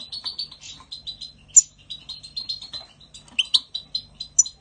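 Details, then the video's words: European goldfinch singing in spring 2020: a steady, fast stream of soft, high buzzy notes punctuated by several sharp, clear chips and brief tinkling flourishes. "Chant chardonneret"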